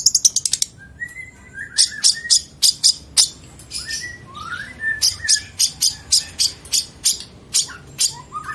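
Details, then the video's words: Long-tailed shrike mastering song full of fill-ins: rapid sharp clicks at the start, then spaced high chips about twice a second with soft mid-pitched whistled slurs between them. "Burung Cendet materi MEWAH"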